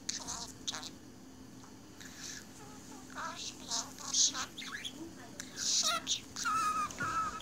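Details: Indoor pet budgerigar chattering to itself: clicks, squeaks and speech-like warbled phrases running together, ending in two clear whistled notes.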